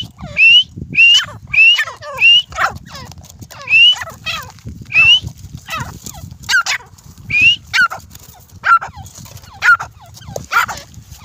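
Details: Grey francolin fighting, giving a steady run of loud, shrill, rising notes about every half second, then a few shorter, lower notes toward the end, over quiet background hum.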